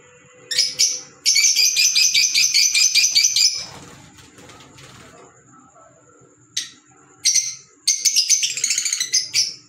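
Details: Green Fischer's lovebirds call in bursts of rapid, shrill, high chirps, with a long rattling run early on, a quiet stretch in the middle, then more short chirping bursts and a steady faint high whine behind.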